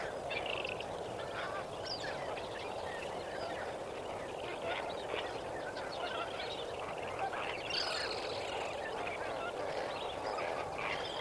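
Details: Sunrise at Kamfers Dam, 18 May 2024, where a large gathering of lesser flamingos keeps up a busy, overlapping honking chatter, with occasional sharper high calls standing out from the dense group murmur.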